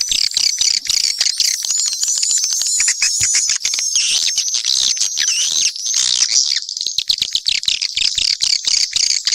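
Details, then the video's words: A thick mix of swiftlet voices, steady high buzzing twitters layered over a rapid stream of dry clicks. "Sp burung walet campuran"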